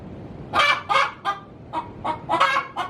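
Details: Domestic hen cackling in her coop before laying an egg; a series of harsh, raspy clucks in quick bursts, some paired, rising into louder notes near the end, over faint background hiss.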